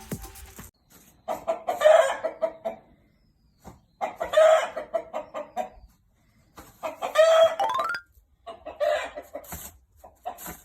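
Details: Home-kept rooster, about five and a half months old, calling continuously beside a hen preparing to lay her first egg; bursts of loud, rasping, harmonic clucks separated by short silences, with a few drawn-out notes.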